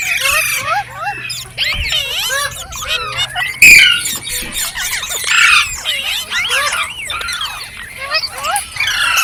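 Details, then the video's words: Green parrots calling noisily, a dense mix of shrill squeals, curling whistles and chirps, with one sharp loud squawk near the middle and steady overlapping chatter. "Beautiful Green Parrots Talking | Funny Parrot Sounds"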